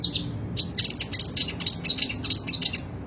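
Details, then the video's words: Long-tailed shrike with rich, unruly song: a rapid jumble of high metallic ticks and short ringing whistles, several per second, over a faint low hum. "burung cendet materi melimpah gaya urakan alias gak karuan"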